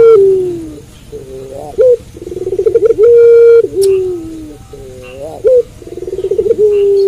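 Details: A puter pelung dove coos at night. Descending long coos give way to brief sharp notes, then a pulsing roll that builds into a sustained even tone, repeated across the stretch.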